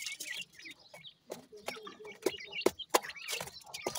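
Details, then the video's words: Short burst of grey francolin chicks feeding, with high squeaky peeps in quick irregular succession, a brief pause, then more chirps among loud pecking clicks. "sindhi teetar kay bachay,gray pheasant chicks with feeding"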